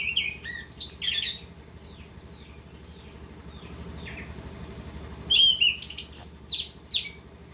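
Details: Orange-headed thrush singing in 'ngerol' style: lively, varied high chirps and trills open the passage, soft scattered notes follow during a quieter stretch, then another fast burst of sharp warbled phrases.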